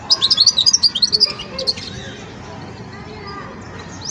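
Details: European goldfinch, a young bird at the song-learning stage, delivering a quick run of bright, high twittering notes for over a second, then a few fainter ones before falling quiet against background hum.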